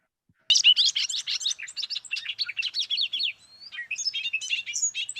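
A Bobolink pours out a fast, bubbling jumble of high metallic notes, tumbling up and down with tinny, twanging whistles for about five seconds.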